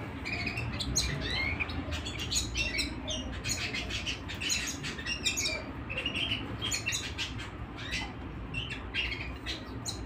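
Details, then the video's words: Home canaries keep up lively singing: rapid runs of twittering notes, short trills and occasional whistled slurs, continuous over ten seconds, with low background hum. "canary singing - canary sounds - canary singing at home"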